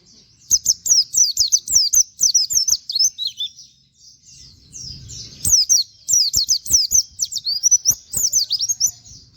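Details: A plain flowerpecker suited to training other birds, singing the nembak wit wit kenari style. Dense, rapid series of piercing high upswept notes come in two bursts, each several seconds long, separated by a short lull.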